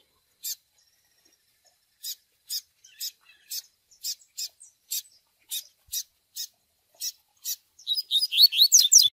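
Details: Double-collared seedeater training recording: 'tui tui' song style with chick peeps, used for pairing and handling. Short sharp high peeps repeat irregularly, about three a second, ending in a fast warbled burst of rising and falling notes.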